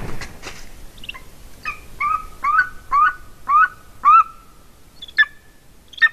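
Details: Female golden eagle at its nest in Latvia, recorded by a nest camera in winter: a series of thin, clear whistled yelps, each a short falling note, repeated about every half second, over steady background hiss.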